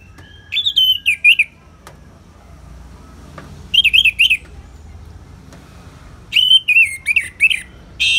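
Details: Ngeplong song from an anis merah, the orange-headed thrush, in a calming therapy recording with natural rain: three loud phrases of wavering, rolling whistles, each two to three notes long and separated by pauses of a few seconds.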